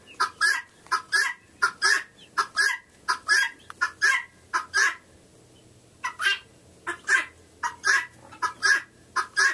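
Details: A female helmeted guineafowl repeats a harsh, grating two-syllable call in a steady rhythm while a hen scratch-dances to it, recorded on 28 November 2011.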